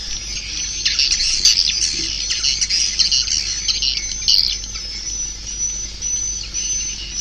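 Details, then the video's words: Swiftlets giving a dense chorus of high, scratchy twittering chirps with a thin whistled tone running above, busiest in the first half and thinning out later. "Suara Walet"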